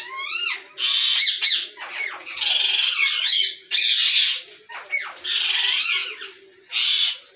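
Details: Ringneck parakeets in a breeding setup in Pakistan, 2022, making harsh screeching bursts in separate bouts of about a second, with gaps between and sharp hooked squawks at the start.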